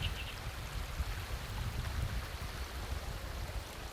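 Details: Rushing, rumbling water or engine noise with a deep low roar and no animal voices.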